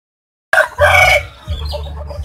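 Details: Unusual rooster from Gawok market, Sukoharjo, whose crow is compared to calling Jokowi: after a moment of silence a sudden loud, bright, hoarse crow bursts out for under a second, then fades into low market din.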